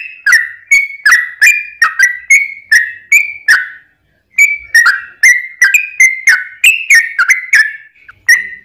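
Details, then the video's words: Long song of a yellow-vented bulbul, used to coax other bulbuls to answer: a string of liquid, chortling whistles at a steady pace, a short silence near the middle, then the string resumes. "trucukan gacor ROPEL PANJANG buat pancingan trucukan agar bunyi"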